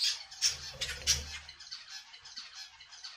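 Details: Budgerigar squawking: several loud harsh bursts in the first second and a half, then a softer run of rapid scratchy chatter continuing to the end, with a low room hum.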